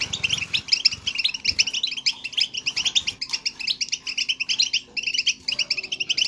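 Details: European goldfinch song, played to encourage a goldfinch to sing: dense, continuous, high tinkling twitter of rapid chirps and trills, with hardly a pause over several seconds.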